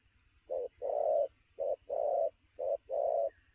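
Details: Spotted dove, a newly caught wild bird, delivering rapid midday cooing: short coo then longer drawn coo, paired and repeated about once per second in a steady low hollow rhythm.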